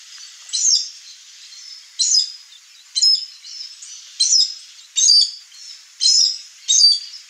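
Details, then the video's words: Wild chestnut-eared aracari visiting a backyard in Brazil's Cerrado biome: seven sharp, squeaky, high-pitched bursts roughly once a second, each a short rasping double note, against quiet background. "O Canto do Araçari castanho"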